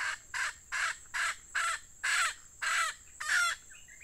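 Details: Decoy red junglefowl hen used to lure wild junglefowl on a rainy day, giving a series of seven harsh, loud bursts about every half second, with faint small-bird chirps at the end.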